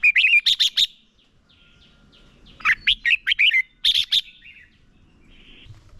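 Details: Competition song of a decoy red-whiskered bulbul for training other birds, with three separate bursts of fast, bright chirps and tumbling warbles split by short quiet gaps.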